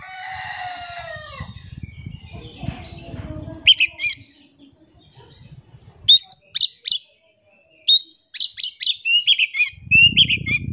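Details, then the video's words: Oriental magpie-robin singing as a lure for silent birds: after some low background noise, bursts of sharp rising whistles and rapid repeated chipping notes, pausing and resuming. "PANCINGAN KACER GACOR. KACER DIAM MALAS BUNYI COBA PANCNG DENGAN KACER INI"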